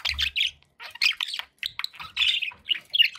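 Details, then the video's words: Pet budgerigar calls: harsh little squawks and chirps in uneven bursts, separated by brief silences. "1 hour of budgie sounds"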